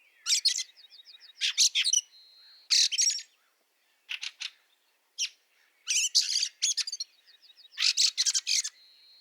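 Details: Fieldfare, Liepāja, Latvia, March 2023, in snow: loud rasping call clusters alternate with thin, evenly repeated high whistled notes, the harsh bursts returning about every second or two.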